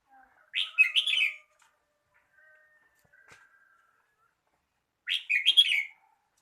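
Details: Red-whiskered bulbul repeating a short lively warbled phrase of slurred whistles twice, about four seconds apart, with faint thin tones in the quiet gap.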